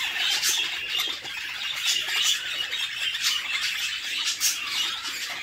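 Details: Budgie chicks calling in a nest box during feeding by the mother; a continuous shrill, buzzy wheezing chorus with regular louder pulses about once a second.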